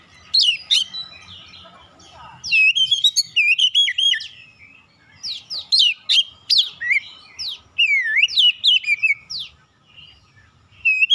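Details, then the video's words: Lengthy magpie-robin lure song meant to provoke other magpie-robins to sing: energetic, varied phrases of loud whistles, quick slurs and sharp high notes, delivered in rapid bursts with short breaks over about eleven seconds. "DALAM HITUNGAN DETIK KACER LAIN LANGSUNG RESPON GACOR SEKALI PANCING"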